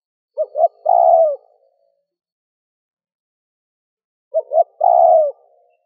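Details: Spotted dove giving coo, urge and calling phrases used to provoke wild doves into responding; two phrases, each two short rising hoots followed by a longer, slightly falling coo, spaced about four seconds apart over a silent background.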